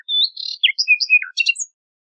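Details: Nightingale song: a sustained buzzy warble, then clear whistled slurs rising and falling, ending with a scratchy high twitter, with no other sounds.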